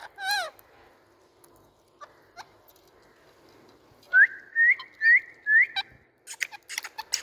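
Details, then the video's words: Indian parrot calling: a loud, wavering, harmonic whistle at the start, scattered faint chirps, then a run of four bright rising whistled notes about half a second apart, ending in a burst of clicks and rustle. "Indian Parrot🎊 Sounds"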